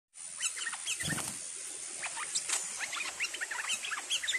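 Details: A captive bulbul recorded in July 2021 gives rapid, chattering bursts of short, squeaky chirps at mid to high pitch, with a steady high hiss of insects behind.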